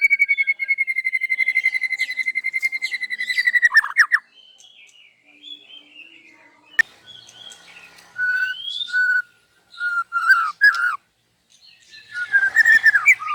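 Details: Morning song of a white-rumped shama, loud and showing off its isian fill-in repertoire: a fast, steady buzzy trill ending in sharp notes, a quieter pause, then clear whistled phrases and bright rising chirps.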